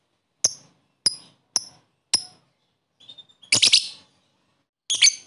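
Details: Lovebird calls played to rouse lethargic lovebirds into song; four thin, sharp high ticks, a faint soft whistle, then two harsh chirp bursts.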